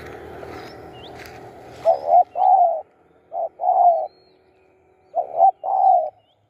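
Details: Spotted dove kept as a decoy to lure wild birds, cooing in three phrases: each a short doubled note then a longer low hummed coo, after some background noise and faint high chirps from other birds.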